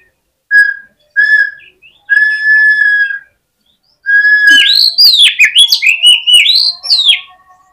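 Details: Oriental magpie-robin delivering a fighting song meant to provoke rivals: a series of clear, steady whistled notes, then a loud, fast tumble of swooping whistles and chatter, ending on a softer level whistle.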